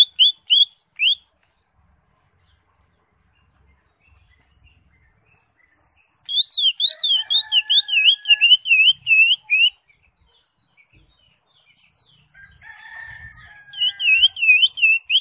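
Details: Ngekek-style song of a greater green leafbird: short bursts of quick, high, wavy whistled notes separated by long silences, the middle burst a dense rattling string of repeated notes, with a fainter lower whistle beneath.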